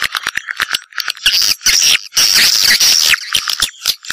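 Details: High, thin swiftlet twitters: scattered sharp chirps and clicks with a sustained, shrill, buzzing chatter lasting about two seconds in the middle.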